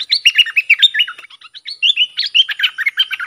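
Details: Dok Taeng bulbul singing for training young birds and luring wild ones, with the styles called sap dok, doen and rik. A steady stream of loud, clear whistles, slurred and bouncing, is broken by a brief pause near the middle.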